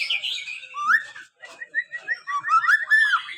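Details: Five-month-old young white-rumped shama learning to sing, a practice song of varied whistled and warbled notes, slurred rising phrases and quick chirps with brief pauses between bursts.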